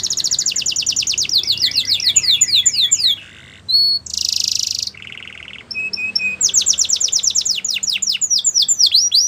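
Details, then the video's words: Canary singing a training song: fast rolling trills, a brief pause, a harsh buzzy burst, a lower buzzy tour, short pure whistles, then rapid sweeping notes again. "Canaries Singing !! The Best Canary Training Song"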